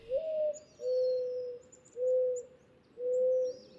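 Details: Male Mourning Dove's advertising (perch) coo, given from a conspicuous perch to attract a female: a low, hollow short rising note, then three long, soft, level hoots about a second apart; faint high chirps of other birds behind.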